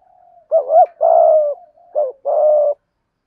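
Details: Spotted dove cooing, played to stimulate a silent caged dove into cooing: a soft low hooting phrase of short rounded notes and two longer, slightly wavering coos, about four notes over three seconds, clean with no other sounds.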